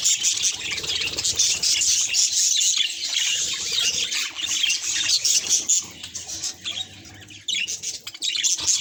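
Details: Budgerigar chirping at a mirror in quick, irregular bursts of high, squeaky warble, easing to a softer stretch near the end before louder notes return.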